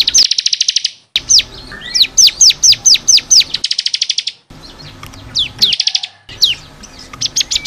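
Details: Energetic bar-winged prinia song recorded to train caged birds. Fast trills alternate with loud, evenly spaced downslurred chips, with abrupt edited gaps between the phrases.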